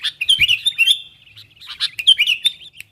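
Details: Sooty-headed bulbul calling its wild companions, a recording used to lure wild bulbuls closer: lively, chattering bursts of bright whistled and twittering notes in two busy clusters, separated by a short pause.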